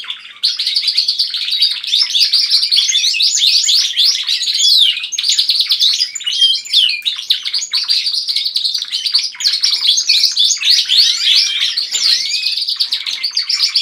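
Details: Pet canaries at home in a lively group song led by one bird: an unbroken stream of rapid trills, rattles and high twittering from several singers, steady and loud throughout.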